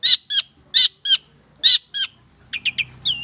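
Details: Madura Long-tailed Shrike in full song for bird training: loud harsh, buzzy chattering notes in spaced pairs, then a short run of softer, quicker chips and a looping, bending whistle near the end.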